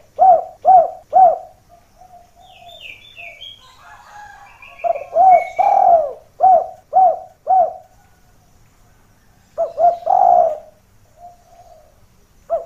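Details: Spotted dove calling as a lure to pull wild doves down toward a supposed rival: bursts of quick low coos, some stuttered in rapid runs, with longer swelling notes and faint high chirps of another bird.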